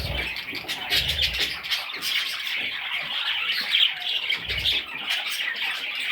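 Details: Young budgerigars keep up a busy, harsh twittering, broken by low thudding movement sounds at the start and again later.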